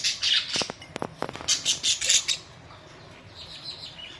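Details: Pet budgerigars kept at home, recorded May 24, 2023: a run of bright, scratchy high chirps for about two seconds, mixed with a few sharp clicking taps, then fading to faint twittering.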